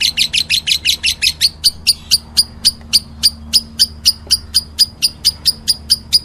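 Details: Lovebird calling meloloh style: a quick burst of shrill chirps that slows into a steady series of single sharp, high chirps, with a faint low hum beneath.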